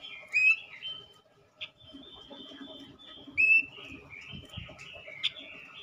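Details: Male robin used to stimulate other robins, singing more quietly: short whistled warbles at the start and near three and a half seconds, a single sharp chip between them, over a faint rustling background.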